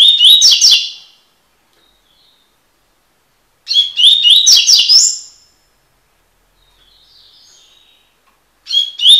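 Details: Double-collared seedeater (coleiro) singing its tui-tui style song as a tutoring recording: bursts of high, fast, buzzy notes with whistled slurs, about a second long, repeated roughly every three to four seconds against a silent background.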